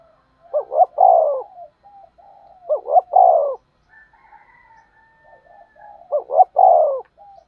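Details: Spotted dove lure bird calling for trapping, with three low phrases of a double rising coo ending in a long falling note, linked by soft wavering coos and a faint higher drawn note.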